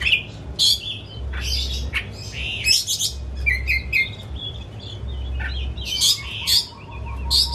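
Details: Home-kept, hobby-owned Oriental magpie-robin, fed crickets and pellets, singing as a lure to make a silent bird open its beak and sing: bursts of high, sharp chirps and whistled notes with varied, scratchy phrases, separated by short pauses, over a low background hum.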